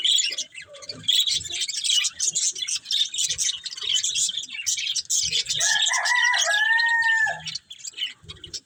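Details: Budgerigars eating green food produce a thick wash of high twitters and squeaks, joined for a couple of seconds late on by a long, wavering crow.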